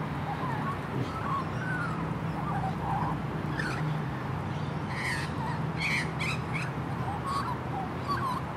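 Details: Juvenile female magpie, described as very happy, singing a soft, rambling warble of short gliding and wavering notes in the mid range. Several brief harsher bursts come near the middle. A constant low hum and background noise run throughout.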